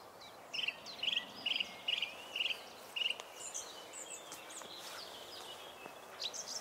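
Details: Song thrush (Turdus philomelos), speckle-breasted brown thrush, singing in a wood or park, repeating phrases three or four times: one short bright note six times quickly, a pause, then varied high notes over steady hiss.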